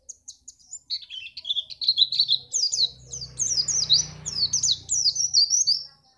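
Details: Song of a white-eye, played to set other birds singing for contests, recorded in Pacitan: lively high warbling that builds into quick, sweeping chirps over a faint low hum.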